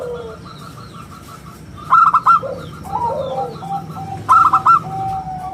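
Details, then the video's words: Singing local zebra dove with a crystal, round voice for luring and as a master song: a soft run of evenly spaced faint coos, then two loud clusters of rapid ringing coos with lower gliding notes between. "perkutut lokal gacor suara istimewa buat pancingan dan masteran"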